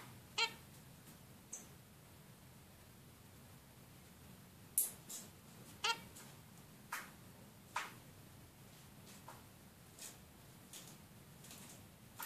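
A female zebra finch gives short, nasal calls at irregular intervals, roughly ten in twelve seconds, over a faint indoor hum.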